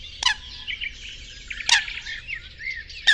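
Mallard giving three short, harsh, rasping quacks about one and a half seconds apart, with small birds chirping and twittering steadily in the background.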